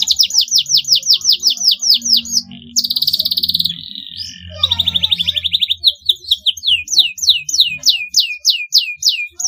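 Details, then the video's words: Canary in continuous gacor song, used as a lure for young birds learning to sing: rapid bright trills of swept notes, a buzzy rattling passage, then more repeated downslurred whistles, over a faint low hum. "KENARI GACOR DURASI PANJANG, PANCINGAN JITU RANGSANGAN DAHSYAT UNTUK PAUD BELAJAR BUNYI"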